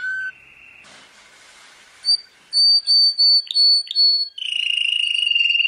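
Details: World champion canary: a few short notes and a brief hissy patch, then clear high whistled notes repeated about twice a second, ending in a rolling trill.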